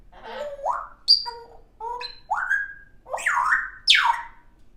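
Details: Young pet African grey parrot, female, doing robot-like funny noises: a sequence of swooping, rising squawks and bright whistles with electronic-sounding glides, about six bursts in under five seconds.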